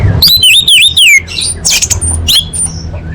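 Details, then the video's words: Caged orange-headed thrush singing for song training; quick wavering whistled phrases, then sharp high chips and scratchy notes over a steady low hum. "Masteran ANIS MERAH"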